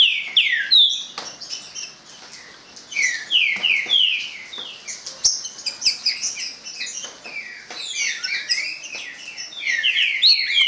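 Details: Green-winged saltator kept by an owner, pouring out sweeping descending whistles that rise in volume toward the end, layered with constant sharp high-pitched chirping.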